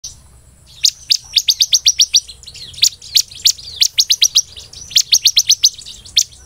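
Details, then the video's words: Bar-winged prinia (ciblek) in full song, delivering the 'belalang emas' style: bursts of sharp, high, evenly spaced chirps in runs of six to eight, repeated several times with brief pauses. "BURUNG CIBLEK GACOR NEMBAK BELALANG EMAS"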